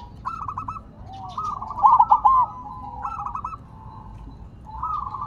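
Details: Zebra dove of the silver variety, sitting on the ground and singing vigorously; one strong burst of quick clipped coos around two seconds, surrounded by quieter rolling cooing from nearby doves.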